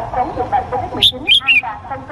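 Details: A Cambodian male red-whiskered bulbul calls to a female: one short phrase of three clear, piping whistles in quick succession, set against constant background chatter and low rumble.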